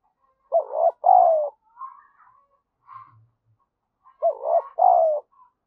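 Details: Lure spotted dove with urging and cooing calls to stimulate other doves: two husky two-part coos about four seconds apart, each a short note and a longer falling note, with soft murmuring notes between.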